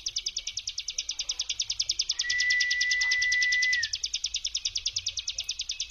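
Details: Bar-winged Prinia's 'brem' trill, used as a lure to make silent birds trill and to provoke others into answering; fast, high, buzzy pulses run steadily at about eight per second, with a level pure tone held for about one and a half seconds midway.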